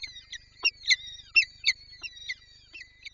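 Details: Lublin peregrine falcon wanting to feed its chicks, 23-04-24: short, sharp harmonic notes given about twice a second, irregularly spaced, with faint drawn-out whines between them and a quiet low hum beneath.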